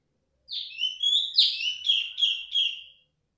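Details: Female cungkok calling loudly and persistently: a clear phrase of about seven bright, slurred whistled notes, each sliding down then levelling, delivered in quick succession over two and a half seconds, with no other sounds.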